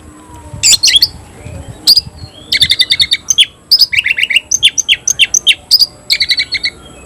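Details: Oriental magpie-robin (kacer) singing a new-variant 'tayoraky' style song: loud bursts of sharp whistled and buzzy notes, rapid repeated chips and short trills in clustered phrases, with brief pauses between them and a faint steady high electronic tone behind.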